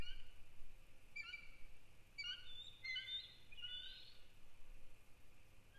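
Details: Adult bald eagle at its nest on December 1, 2019, giving alert calls during an hour-long intrusion by another eagle, with chases and fly-bys. Short high chirping notes in stacked bursts rise toward the end over a steady low hum.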